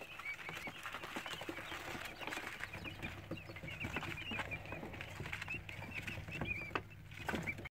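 A brood of quail chicks keeps up a busy, overlapping chorus of short, high peeping chirps over a steady low hum.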